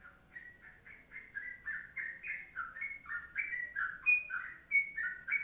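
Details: Tutor-style long ropelan song of a Sooty-headed bulbul, delivered energetically: a continuous run of clear, slurred whistles stepping between higher and lower pitches, growing louder toward the end, with faint high clicks.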